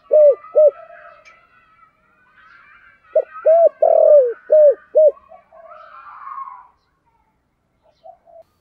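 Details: Giọng thổ song of a decoy spotted dove: two quick soft coos, then a phrase of five deep rounded notes with a long sliding centre, followed by quieter background murmurs and faint distant cooing.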